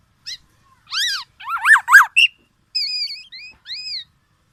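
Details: Black-naped oriole giving arched, nasal notes that rise and fall, some paired. Later come higher, flatter whistled notes and a final arched call. No other sounds.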